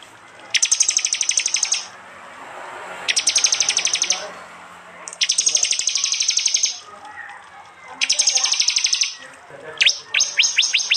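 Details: Prenjak-type prinias from East Java, phone-recorded and combined from several kinds: four high, fast rattling bursts of even ticking notes, each over a second long, followed by a series of separate sharp descending notes.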